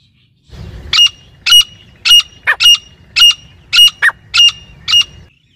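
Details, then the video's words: Non-stop calling of a female grey francolin in jungle: brief low rumble, then steady piercing repeated notes roughly twice per second, mixed with a couple of shorter, lower-pitched notes. "Madi ki awaaz Shikar ke liye non stop calling female in Jungle teetar gora teetar francolin"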